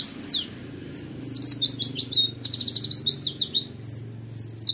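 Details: Kept Oriental white-eye delivers a roll tembak song. It is a nearly continuous stream of very high, fast slurred whistles and rapid trilled runs, including a dense stuttering roll in the middle, with only brief gaps.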